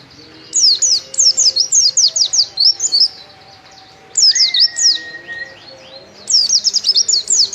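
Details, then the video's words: Mountain white-eye (pleci) singing vigorously, the 'gacor' style: rapid, high, thin twittering phrases of quick downslurred notes in three bursts separated by short pauses, with a steady whistled tone in the middle. Quiet background. "Pleci Gacor"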